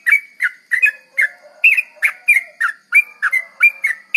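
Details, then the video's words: Sooty-headed bulbul chattering in the quick 'garuda ropel' lure style: sharp, bright chirps repeated in close succession, some notes paired, with a faint thin whistle drifting low in the background. "Pancingan trucuk garuda ropel,pancingan trucuk cepat garuda"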